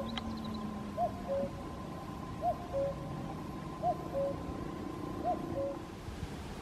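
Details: A common cuckoo sings from a great distance in Caldones, Gijón, Asturias, Spain, on 8 May 2021, giving four evenly spaced descending two-note cu-coo calls roughly every one and a half seconds above a low, steady background hum.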